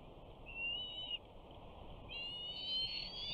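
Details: Bald eagle eaglet, a 68-day-old male at a nest at Big Bear on 21 June 2019, the first day of summer, calls as a parent flies in with a fish. Two thin, high whistled notes, the second longer and wavering.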